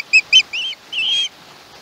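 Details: Softer calls from a young osprey on a Chesapeake nest, 21 August 2019: two short shrill notes, then two longer, wavering screeches, heard through a live nest camera.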